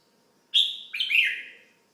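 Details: One red-whiskered bulbul call, bright and close: a high, sharp opening note sliding into a rich, warbling phrase that fades downward, with no other sounds.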